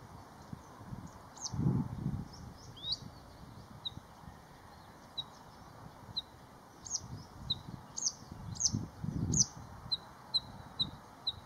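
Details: Singing bluethroat in late April to May, recorded while waiting for a heron: scattered high chirps and sharp clicks, then a run of short thin notes repeated evenly, with low thumping noise underneath.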